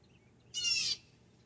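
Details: A single loud, grating jeer from a Blue Jay, the kind said to announce its arrival and departure, lasting under half a second between near-silent stretches.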